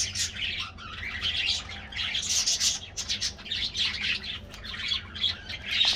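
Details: Colorful budgies of an aviary colony during their morning diet treat; loud, dense high-pitched chirping and warbling from many birds in surging bursts, little background noise.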